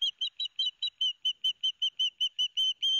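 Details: Pair of young ospreys calling loudly at Barnegat Light, New Jersey, 13 September 2021, while the father brings each a fish to the nest. Rapid, evenly spaced high whistled chirps, about five per second, run without a break.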